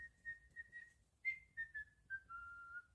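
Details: Pet cockatiel whistling a run of clear, steady tonal notes, first several short even whistles, then a higher note sliding down into longer, slightly lower drawn-out whistles, with a faint low room hum beneath.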